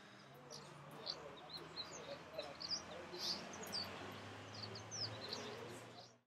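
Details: African red-rumped swallow (Cecropis melanocrissus emini) at Gisenyi, Rwanda, in March 2013 calls: short, high twittering chirps in loose bursts, over a steady low hum and faint background murmur.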